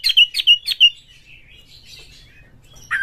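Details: Oriental magpie-robin lure song for prompting other birds to sing: three quick, sharp whistled notes in a row, then a faint wavering trill and one louder downslurred note at the end.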